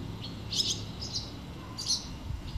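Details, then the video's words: A barn swallow chick being fed by its parent gives high, thin chirps in short bursts, a few notes in under three seconds, over a low background rumble. "Andorinha-das-chaminés a alimentar a cria"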